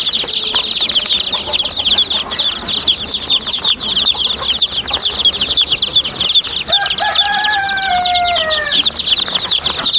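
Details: Many baby chicks give a dense chorus of high, shrill peeps, each a quick downslurred note, overlapping continuously; near the end a longer adult chicken call slides downward.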